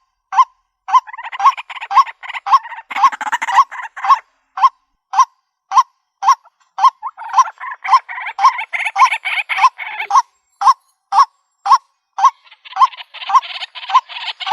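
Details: White-breasted waterhen, sound used to draw birds into a rural trap: long run of short hollow rising 'kook' notes at an uneven pace, mixed with fainter overlapping calls and brief harsh bursts.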